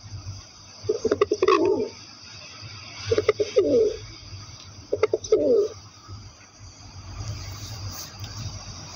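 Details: Pigeon cooing: three bouts, each a few short stuttering notes followed by a rolling, low purring coo, with steady background hum.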